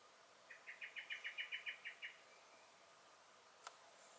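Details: Common blackbird (Turdus merula) recorded in a garden, 23 May 2021: one quick chattering alarm run of about eleven sharp notes that swell then tail off, followed by silence and one faint click.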